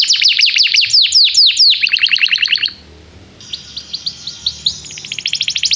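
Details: Canary song to encourage young canaries to learn singing: loud repeated down-slurred notes in quick series, a pause, then softer high chirps building into a fast trill.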